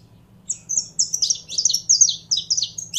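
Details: Kept saffron finch being fired up, starting after a short silence with a quick chain of high, clear chirped notes that grow denser and slightly buzzier, continuing to the end.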